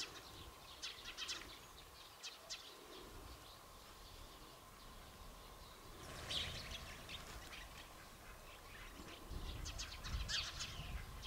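House sparrows chirping in short, bright bursts of quick repeated notes, over a steady low hum and background rumble.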